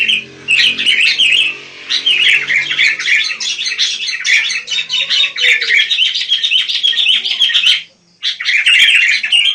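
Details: Wild sooty-headed bulbul (kutilang) singing a long run of rapid, chattering, bubbly notes, with a short silence near the end before resuming.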